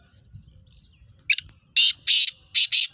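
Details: Female black francolin calling: a brief harsh note, then four loud, grating buzzy notes set in two pairs over about a second and a half, each note rasping and broad, with silence around them.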